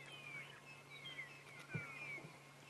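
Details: Magpie (long-tailed) shrikes at sunrise on 21 August 2016, in winter in the Arethusa area, likely calling to each other in a territorial dispute: clear, fluting downward-sliding whistles, several overlapping in quick succession, heard faintly over a steady low hum.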